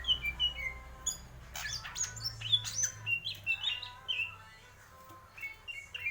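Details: Greater green leafbird singing in the 'mendem gadong' style: a rapid, varied run of clear whistled notes and short slurs, broken near the middle by bursts of harsh, buzzy chatter, with a low steady hum underneath throughout.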